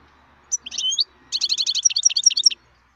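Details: Wild European goldfinch giving a short phrase: a few slurred notes, a brief pause, then a quick series of bright chirps and tinkling high notes.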